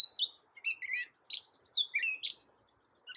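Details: A loud Gray catbird sings a string of varied phrases: downslurred whistles, short chirps and rising notes, each separated by a brief pause.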